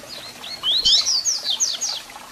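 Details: Double-collared seedeater in full song, played to excite and warm up a captive bird: a rapid, continuous phrase of high whistled notes that rise, twist and fall, lively and twittering, with little background noise.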